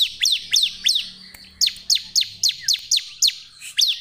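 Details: Bar-winged prinia (ciblek) singing energetically, used as a lure to set other birds singing: sharp descending chirps from high to lower pitch, repeated about three times a second in bursts, with a brief pause midway.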